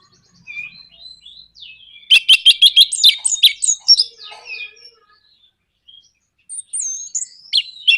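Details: Orange-headed thrush bait song, 'nraktak konslet' type, meant to trigger singing in other birds: faint whistles give way to a quick run of sharp repeated notes, tumbling slurred phrases, then high thin whistles.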